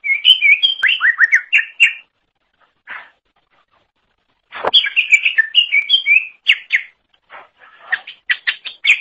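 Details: Greater green leafbird in energetic song, recorded to train songbirds: fast warbling series of whistled notes, a long pause with a soft note and one sharp click, then a renewed rush of chattering whistles.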